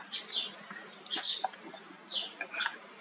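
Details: An injured Indian roller (Coracias benghalensis), hurt in one leg and struggling to perch, stops at a birdbath one afternoon and gives harsh, rasping high bursts about once a second: three rough screeches with softer clicks between them.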